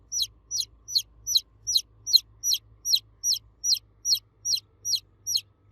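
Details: Domestic chicks cheeping for the mother hen in a very even rhythm, loud high downward-slurred peeps about every 0.4 seconds, with a faint low hum.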